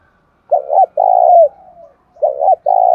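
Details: Spotted dove provoked to fight during the rainy, windy seventh month, a quickly roused decoy bird with a local-style voice: one full coo phrase, a stuttered double note then a long descending coo with a soft tail, before another phrase begins.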